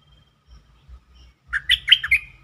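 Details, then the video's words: Bulbul song played to excite birds: a few faint thumps, then one rich, bubbling phrase of four or five quick warbled notes ending in a brief whistled tail. "เสียงนกดอกแตงEp.147 เปิดให้นกคึก เพลงดีสำนวนน่าฟัง Suara pikat merbah lekir"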